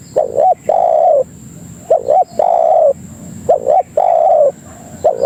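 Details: Spotted dove (tekukur) lure call used to attract other doves: a quick doubled note followed by a longer, steady, slightly falling coo, the phrase repeated three times in low, mellow tones over quiet background.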